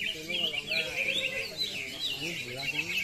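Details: A greater green leafbird competing at a songbird contest sings a long, continuous run of high, rapid, twisting warbled phrases while a man talks underneath; it later drops to the floor, ending its song.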